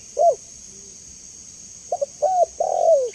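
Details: Spotted dove, clear call meant to provoke a quick response: one short coo, a quiet gap, then a stuttering double note and two drawn-out falling coos, with a constant thin whine throughout.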